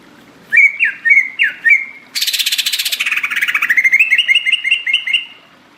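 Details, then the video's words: Greater green leafbird in full, lively song, offered as a tropical forest recording meant to make other leafbirds answer. About four whistled, rising-falling notes, then a harsh, rapid buzzy burst, then a quick run of repeated bright chirps. "Anti gagal pasti nyaut ngotot cucak ijo gacor"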